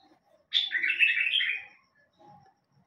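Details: Bulbul singing one loud, rich warbled phrase lasting just over a second, starting with a high sharp note and then rolling through lower fluty slurs. A faint low murmur follows.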